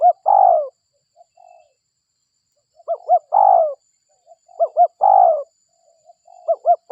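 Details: Indonesian local spotted dove call used to lure wild doves. Phrases of two short hooked notes and then a long descending buzzy coo. Soft quiet notes fill the gaps, and the recording ends mid-phrase.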